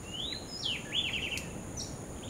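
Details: Least grebe at Posada Granja El Ojito, Falcón state, Venezuela: a thin rising whistled note, then a fast chattering trill that slides gently downward, over a steady high-pitched background hiss.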